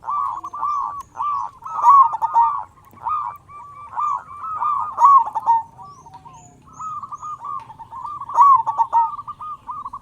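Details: Local zebra dove from Indonesia singing loudly as a lure to make other doves call sooner. Repeated groups of brisk, staccato coos on an even pitch, rising to louder bursts about every three seconds, with a short pause near six seconds.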